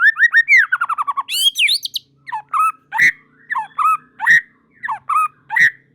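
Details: White-rumped shama singing while other shamas join in; a quick tumbling series of falling notes, a loud squeal, then repeated paired whistles broken by sharp clicks about once a second.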